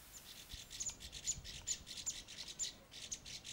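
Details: Chestnut-bellied nuthatch (Sitta cinnamoventris) entering its nest-hole in a horse chestnut tree in deodar and oak forest at Landour, India, giving thin, high, squeaky calls, several a second in uneven bursts, over faint low background noise.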